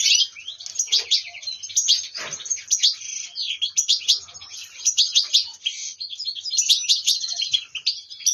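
Goldfinch song: a continuous fast jumble of bright twittering, tinkling notes and buzzy trills, high-pitched and restless, with several birds possibly overlapping.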